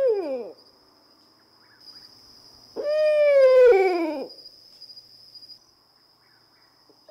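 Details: After the tail of an earlier descending call, an owl gives a rising then wavering, falling whinny of about one and a half seconds, rich in overtones, with a thin steady high tone in the background.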